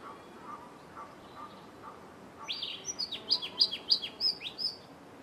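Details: Yellow-throated woodland warbler (Phylloscopus ruficapilla), a forest bird, sings a quick run of high, thin, down-slurred notes, about three per second, after faint lower calls at the start.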